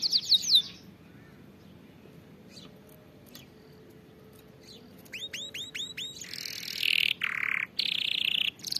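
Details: Canary song used as a training recording for teaching canaries to sing: a short burst of quick descending notes, a long near-silent pause, then repeated upslurred whistles leading into buzzy, rapid trills with brief breaks.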